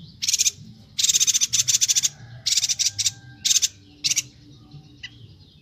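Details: Lively Bornean yuhina chatter meant for tutoring cage songbirds; clustered high, sizzling bursts of rapid notes in quick succession, then sparser single bursts and a sharp click.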